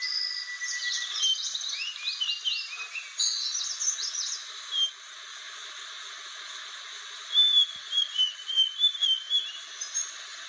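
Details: Blue flycatcher, the rare sikatan Aceh, with a dense jumble of quick high chirped notes at first, then after a pause a string of clear whistled phrases repeated close together, all over background hiss.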